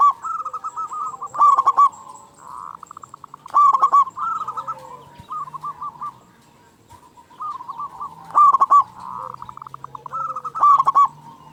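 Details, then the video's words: Strong local zebra dove calling to provoke quiet doves; loud clipped bursts of quick coo notes recur about every two seconds, separated by softer rolling coos and quiet pauses. "Perkutut Lokal Gacor Suara Besar Pancingan Burung Perkutut Agar Cepat Bunyi"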